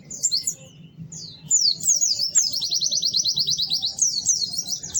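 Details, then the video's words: White-eye singing lively and melodious: scattered high tweets over a low murmur, then a sustained, very fast, high trill of even chirps, ending in mixed sharp twitters. "Kicau Burung PLECI GACOR MERDU"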